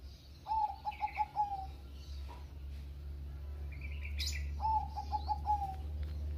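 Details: Bangkok-type zebra dove singing to prompt other doves: two phrases of five or six quick stuttered coos each, somewhat faint over a steady low rumble, with a few higher chirps from other birds.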